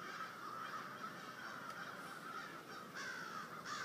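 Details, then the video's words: Several American crows caw in a snowstorm just before dark in Waterbury, Connecticut, a hoarse call returning every second or so over constant wind noise. "Creepy Crows"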